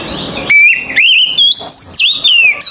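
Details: Oriental magpie-robin morning song meant to make other magpie-robins reply and sing: a loud, continuous ribbon of pure whistles, long level notes stepping up in pitch, sharp upward snaps and smooth descending slurs.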